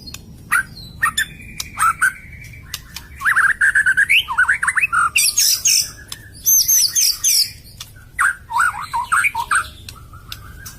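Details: White-rumped shama song used as a lure to prompt shamas that are reluctant to sing, stalled, or just finished molting: varied loud whistled phrases, slurred rising and falling notes, sharp clicks and high rapid trills mid-clip, with brief pauses between bursts.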